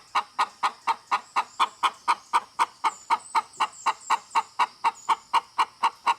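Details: Hen clucking steadily and fast, about four short, evenly spaced clucks each second, roughly twenty-five in a row.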